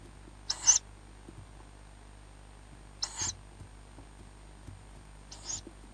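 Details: In a forest nest holding five fast-growing chicks, Tawny owl chicks give three harsh, hissing wheezes about two and a half seconds apart, each under half a second, over a quiet low hum.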